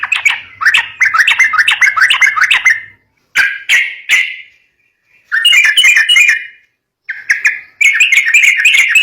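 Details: Yellow-vented bulbul song aimed at luring young birds. Several bursts of rapid, warbling chatter broken by short pauses and a few isolated slurred notes, bright and liquid throughout.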